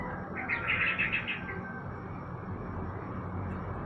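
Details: Sooty-headed bulbul set out for morning sunning, giving a quick burst of bright, clustered chirps over about a second, then falling quiet against a steady low rural hum.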